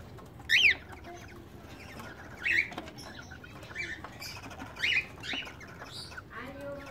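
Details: Cockatiel pair during their first mating, a breeding ritual at a bird farm in Medan. Short, bright rising chirps come in scattered bursts about every two seconds over a low background hiss, with a soft squawk near the end.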